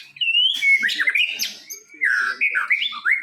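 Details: Contest-winning white-rumped shama delivering loud, rich whistled song: slurred rising and falling phrases, quick warbles and bright, ringing notes in close succession.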